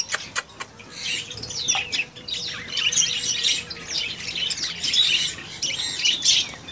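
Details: Baby African grey parrot calling with rapid, high chirps and rasping squawks, swelling into a continuous busy chatter after a few sharp clicks at the start.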